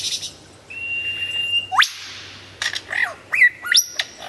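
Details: Lyrebird in loud, clear song: a long steady whistled tone ends in a steep upward sweep, followed by a hiss-like burst and several quick looping and rising whistled notes.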